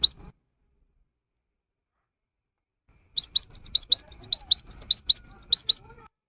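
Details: Cinereous tit song, a recording used as a lure to get silent birds singing: a lone short note, about three seconds of silence, then a rapid series of high, sharp rising notes in pairs alternating with softer twittering notes.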